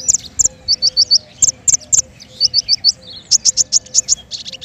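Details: Lure song of a king konin for bird trapping: rapid high-pitched chirps in short runs of three to five notes, with sharp ticks between them, repeated almost without pause.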